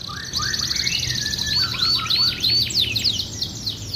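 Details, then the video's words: Canary in lively song, lower rolling warbles running under a string of high repeated looping whistles at a steady fast pace. "Canary Gacor goyang indah, cengkok mewah."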